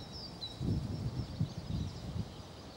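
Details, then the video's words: A Eurasian collared dove or European turtle dove gives a low, soft, throaty cooing in a few muffled pulses, with faint high bird whistles in the background. "(0) Горлица. Воркует горлица."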